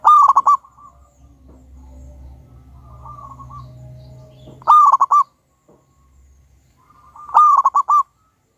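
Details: Wild local zebra dove with a big voice, recorded as a lure to set other doves singing. Loud stuttering coo phrases of four or five mid-pitched notes come every few seconds, with soft low murmurs in between.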